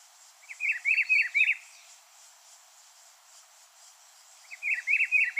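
A Rufous-browed Peppershrike sings a rich, warbled phrase of rolling whistles lasting about a second, repeated after a few seconds, over a steady high insect hiss.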